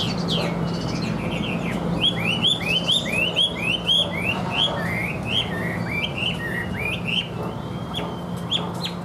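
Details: Caged Chinese hwamei in even, steady song: a long series of upslurred whistles repeated several times a second, later a few drawn-out flat notes and sharp rising slurs, over a steady low hum.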